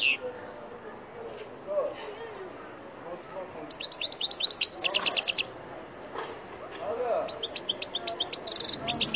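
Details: Algerian goldfinch, named مقنين تيواواطي, giving two bursts of rapid high-pitched twittering and liquid chatter, with faint background voices and noise between phrases.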